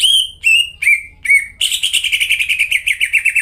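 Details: Vigorous lure song of a greater green leafbird for caged birds that have stopped singing: four clear, downward-sliding whistles, evenly spaced, then a fast rolling trill.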